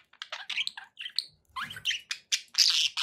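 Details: Pet budgerigars warbling in a fast string of chirps, clicks and rising squeaky notes, ending in a louder harsh burst, with a soft low rumble midway.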